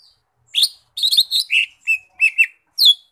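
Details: Lesser green leafbird, called cucak ijo mini, sings a run of short bright chirps and whistled notes, some sliding down, in quick bursts separated by brief pauses, with no other sounds.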